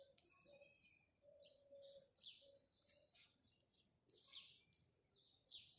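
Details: Morning chirping of house sparrows, faint and distant: scattered high, sharp chirps in loose groups over a soft low tone and gentle background hiss.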